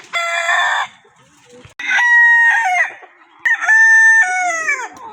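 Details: Rooster crowing three times in a row, each crow a loud, harsh, drawn-out call of stacked tones lasting close to a second, ending in a falling tail, with short quiet gaps between crows.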